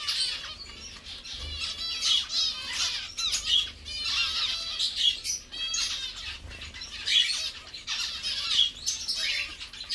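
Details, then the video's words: Zebra finches in captivity, singing, chirping and bathing while enjoying their meal; a busy chorus of nasal, buzzy chirps and rapid trilled notes from several birds runs continuously. "Zebras finches song, chirp, sound and bathing"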